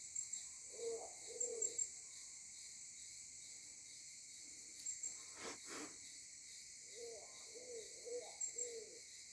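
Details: Phone recording of a Maleo on Sarva Island, Kampung Ugar: a pair of soft double hoots, a pause with a brief rustle, then a run of four similar low hooting notes, over steady insect chorus.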